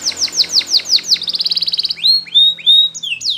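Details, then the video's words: Spanish Timbrado canary, a yellow bird, singing a training song of sharp downward-slurred notes, then a fast rolling trill, ending in slower long whistled slides. "Canary's Most Powerful Song For Training !! Yellow Canary singing"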